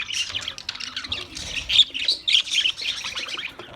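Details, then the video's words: High, rapid chirps from an Australian parrot, tumbling over one another in a continuous bright chatter with a few louder squeaky peaks. "Beautiful Australian parrot video Bird Chirping sounds"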